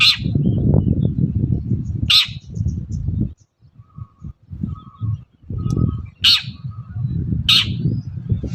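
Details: Long-tailed shrike in the morning, used as a lure for other shrikes: four scattered harsh rasping calls, with faint short whistled notes in the quieter middle stretch and low rumble elsewhere.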